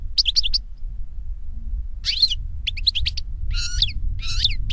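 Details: European goldfinch (Carduelis carduelis) singing in nature, giving separate short phrases of high chirps, twitters and a nasal buzzy note, separated by pauses, against steady low rumbling background.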